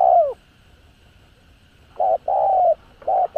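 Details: Spotted dove song played to rouse captive birds to call: a falling coo, a pause, then clipped mid-pitched hollow coos in a short run, with a faint electronic hum behind.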